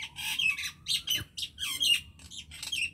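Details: Common myna singing: harsh squawks and chirps in quick bursts, with short whistled notes and one long low rising tone beneath, about three bursts per two seconds, in a quiet setting.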